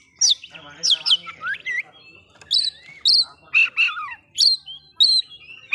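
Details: Oriental magpie-robin song meant to agitate other magpie-robins: loud, varied whistled phrases with sharp downslurred and upslurred notes, some buzzy, delivered in bursts roughly every half second to second, with brief quiet gaps.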